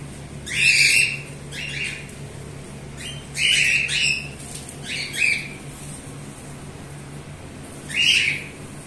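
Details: A group of cockatiels calling: harsh, screechy squawks in separate bursts, some doubled, spaced irregularly with short quiet gaps between.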